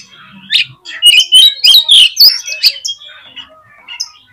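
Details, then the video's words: Oriental magpie-robin singing to stir up rival magpie-robins: a dense, fast series of loud chirps and slurred whistles, peaking mid-phrase, then fading into softer scattered notes. "CUKUP DI PLAY 3 MENIT BIKIN KACER LANGSUNG EMOSI TINGGI !!! PASTI CEPAT ON"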